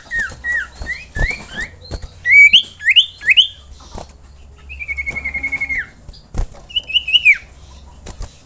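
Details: Common iora sounding off to set other ioras singing: short upswept whistles building to louder rising notes, then a rapid even trill that drops at its end, followed by a few wavering whistles.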